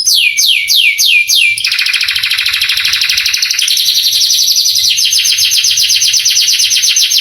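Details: Canary song for provoking young canaries: five slow falling whistles, then a buzzy rolling trill that steps down and back up in pitch, finishing with rapid sweeping notes.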